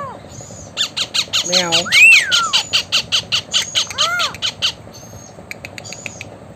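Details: Blue Indian ringneck parakeet, described as talking: rapid harsh squawks repeated about twice a second for several seconds, with a few rising-and-falling voice-like whistled sweeps in the middle, then quieter clicks at the end.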